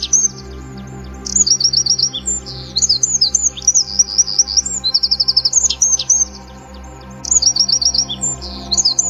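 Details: A Eurasian wren sings on a morning in bursts of one to two seconds, with loud, very high, rapid trills and chattering runs, over a soft, steady musical drone.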